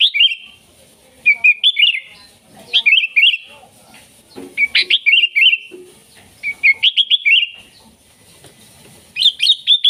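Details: Lively sooty-headed bulbul song, played to attract wild bulbuls and to tutor caged birds: clustered phrases of quick, liquid warbled notes that rise and fall, repeated after short gaps.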